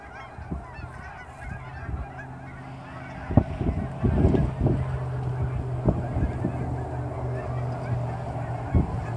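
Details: Canada geese in fall, hundreds flying off ponds toward grain fields just after sunrise near Dawson Creek airport: scattered loud honks over a continuous low engine-like drone, with the calling growing busier midway.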